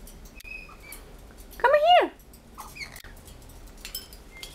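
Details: Captive male blue-headed pionus, a talking pet parrot that repeats phrases like what do you want; one loud, bending, harmonic word-like utterance near the middle, flanked by faint chirps and clicks in a quiet room.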